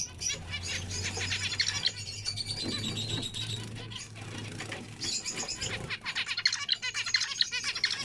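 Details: Zebra finch chatter: quick high-pitched chirps and nasal buzzy notes in irregular bursts, with a steady low hum running underneath.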